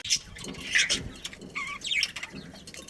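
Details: Budgerigars of a breeding colony chirping: a few quick high notes, some sliding whistles and short warbled phrases over a light background hiss.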